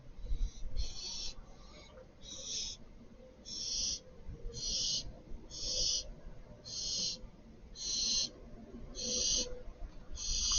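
A young barn owl gives harsh, breathy hisses in a steady series, about one a second, over a faint low rumble.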